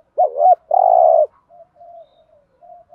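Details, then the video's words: Decoy spotted dove, used to provoke and attract wild doves, gives a wavering two-part note then a long burry coo, with quieter coos afterward and no other sounds. "tiếng chim cu gáy mồi chuẩn kích bổi hiệu quả"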